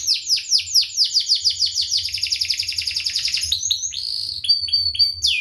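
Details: Canary song used as a tutor recording for young canaries learning to sing: rapid high rolling trills of repeated downward-sweeping notes, shifting midway into faster buzzy rattles and then spaced bright whistled phrases, loud and continuous.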